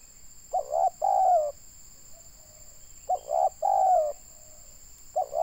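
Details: Spotted dove in Indonesia, recorded during bird luring for trapping: low mellow coo phrases, short coos leading into a drawn-out slightly falling coo, two phrases about three seconds apart and the start of a third, with a constant thin high-pitched whine behind.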